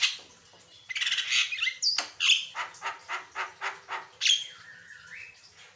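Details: Javan myna in vigorous 'gacor' variation song, used as a master recording to train and prompt other birds to sing: harsh squawks, a sharp high whistle, then a rhythmic run of about eight buzzy pulsed notes, ending with rising drawn-out whistles.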